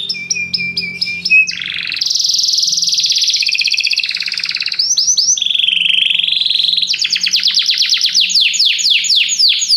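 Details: Several canaries sing together in loud rolling trills and rapid repeated chips, whistled notes and buzzy runs overlapping throughout, after hearing music played to them; Belgian canary.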